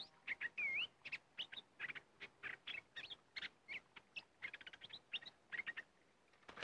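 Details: Red-whiskered bulbuls from an area said to have fierce birds, heard during decoy luring: a looping whistled slur, then rapid chattering chirps and short clear notes in quick succession.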